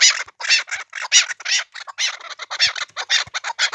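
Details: Chukar of the Pamir uttering spaced, hissing chuck notes in uneven groups, with a couple of faint low knocks in the background.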